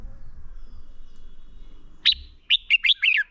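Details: Red-whiskered bulbul fighting song for training birds: after quiet, one sharp note followed by a short run of four rising-falling whistled notes.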